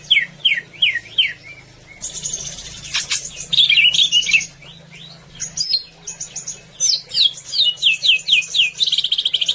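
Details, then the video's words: Vigorous greater green leafbird song for tutoring birds to sing: quick sweeping whistled notes, a stretch of harsh raspy bursts, then dense rapid slurred phrases climbing higher toward the end, with a faint low hum. "Suara Cucak Ijo Gacor Agar Burung Ngobra dengan Penuh Kekuatan"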